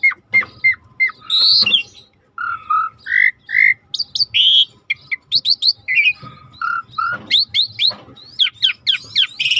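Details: Rare starling singing for a training recording with river sounds: clear flat whistles, short piping notes and a loud buzzy burst, a row of paired rounded notes, then dense upswept chirps and chatter toward the close.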